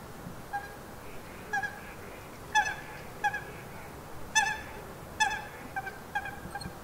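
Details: Duck quacking: nasal, harmonic-rich calls given singly or in short doublets, about eight over seven seconds at uneven intervals, with a faint, steady background hiss.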